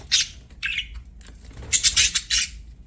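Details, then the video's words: Playing budgies giving rapid harsh squawks and buzzy chirps, clustered in a quick series of bursts near the end. "BUDGIES SINGING PLAYING"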